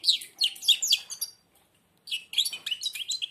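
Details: Indoor European goldfinch, blind, singing with beak nearly shut: two bursts of fast, liquid twittering and rising chirps separated by a brief pause.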